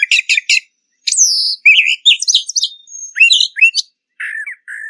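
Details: A Brown Thrasher (Toxostoma rufum) sings a rich, varied string of phrases: quick chirps, slurred whistles and buzzy notes, each fragment changing pitch and style.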